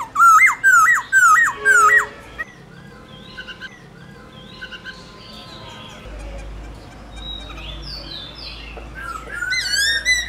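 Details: White-cheeked laughingthrush in forest-style song: loud zigzag whistled phrases for two seconds, then a quieter stretch of scattered high notes before fresh rising whistles return at the end.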